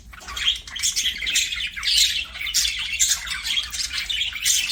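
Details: Playing budgies sing in a continuous stream of raspy, warbling chirps, high and busy throughout, with small swells in loudness.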